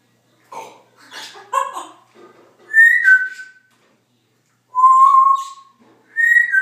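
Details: Pet Congo African grey parrot making chattering, rasping noises, then clear whistles: a high note stepping down, a long steady lower whistle, and a rising high whistle at the end.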